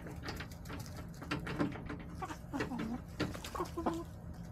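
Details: Hens in a backyard chicken run clucking in short warbling bursts, several overlapping calls with rising and falling tones, low mechanical hum and scattered clicks behind.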